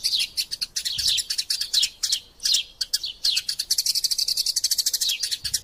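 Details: Eurasian tree sparrows in a fight, used as masteran sound: chattering high chirps with a few brief gaps early on, then a fast, steady run of rapid repeated tweets toward the end.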